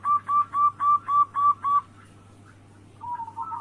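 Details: Zebra dove of local perkutut type, a daily lure to make rivals call: seven clear, evenly timed coo notes about every fifth of a second, a pause, then a soft low cooing murmur, with a faint hum throughout.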